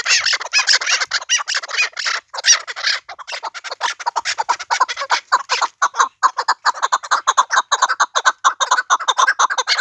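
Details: Chukar partridges from the Pamir giving a dense, rapid run of harsh chucking notes, roughly two per second, overlapping into a steady chattering chorus with short breaks.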